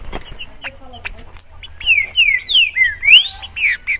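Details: Green-winged saltator (Saltator similis) singing free, not caged: after scattered chirps, a run of clear whistled phrases, each slurring downward or upward, delivered in quick succession during the second half, with other small birds chirping around it.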